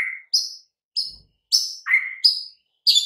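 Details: White-rumped shama song from a master recording for quiet birds: a few loud, separated whistled notes, mostly high, one lower rising note, clean background.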